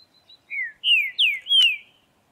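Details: A wild Green-winged Saltator in Prados, Minas Gerais, Brazil, sings a short phrase of four rich, slurred whistles, each sliding downward, in about a second and a half. A faint thin note comes before it.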